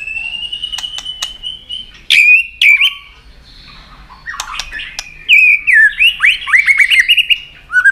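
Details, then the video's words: White-rumped shama, tail-flicking and clicking to provoke a rival, sings a duelling song: a steady high whistle, loud clicks, a quiet gap, then a fast run of descending whistled notes. "chòe Lửa đập đuôi tạch kích căng, kích Chòe Lửa hót đấu căng lửa.chòe Lửa hót giọng dài"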